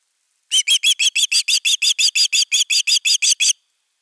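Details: ['Osprey alarm while defending the nest, nest camera #3, 31 August 2021: roughly sixteen high, ringing whistles repeated rapidly and evenly for about three seconds, the background silent.']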